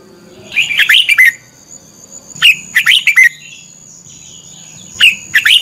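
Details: Decoy red-whiskered bulbul singing a competitive song meant to spur other birds: short rapid clusters of loud, slurred whistles and chirps, three phrases within a few seconds, with a thin constant high tone behind.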